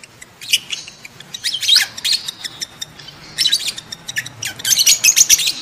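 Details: Breeding lovebird calls, used as a lure to get adult lovebirds mating: sharp, high-pitched squeaks and chirps in short volleys, ending in a quick, rapid series of piercing ticking notes.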